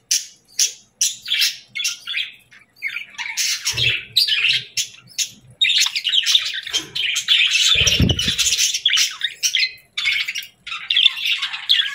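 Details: Quick, clipped chirps open the sequence, then merge into continuous scratchy warbling chatter. Occasional low knocks and rustles.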